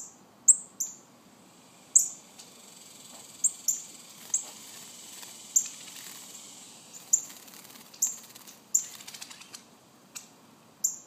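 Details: Baby northern cardinals calling with high, thin, descending chips at uneven intervals, mixed with a burst of crackling rustle near the middle.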